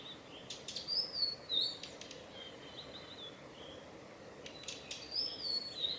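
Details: A male blue-and-white flycatcher on a forest road in Tanzawa, Japan, on 8 June 2020 gives dry ticks, then a thin, high whistle wavering downward, twice about four seconds apart over soft background hiss; a contact call.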